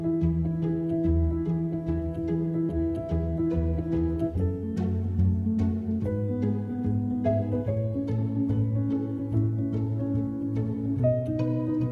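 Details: Only string music is heard, with low plucked and bowed notes and no animal calls.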